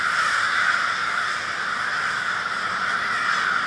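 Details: Large group of crows, a murder, in Minneapolis, Minnesota, on February 20, 2020: a dense, unbroken wall of overlapping harsh caws, with countless birds calling at once so no single call stands apart.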